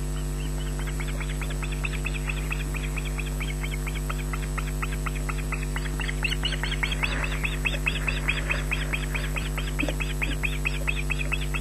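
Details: At Loch Garten, 14 June 2012 in the evening, the youngest osprey chick emerges from under its parent and shrieks for food in vain. Rapid piercing notes pour out in a long, dense series, growing louder midway, over a steady mains hum.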